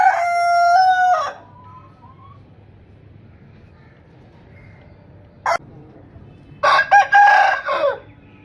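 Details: Rooster crow: the clip opens on the ringing tail of a crow, then a long quiet gap with a brief click. A second crow follows, broken and choppy, near the end.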